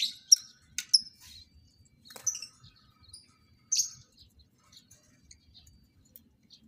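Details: Captive lovebirds kept for breeding, being paired for mating: scattered short, shrill high chirps and squeaks at irregular intervals, some louder sharp notes early, then quieter twitters with long pauses.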